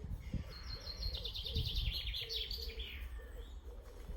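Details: Wood pigeon giving low, soft, hollow coos about twice a second in woodland edged with cow parsley by All Saints' Church, Roos, beneath a busy songbird chorus including chaffinch, with a low background rumble.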